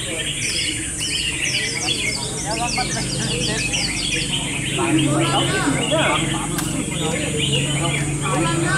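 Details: Several red-whiskered bulbuls singing in a competitive singing battle, overlapping bright, liquid whistled phrases in a dense chatter, over a low hum and faint human voices.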